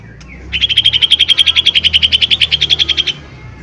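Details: Lesser green leafbird as a loud lure to draw out song: a steady, rapid trill of about twenty-five pulses over two and a half seconds, with a faint low hum behind.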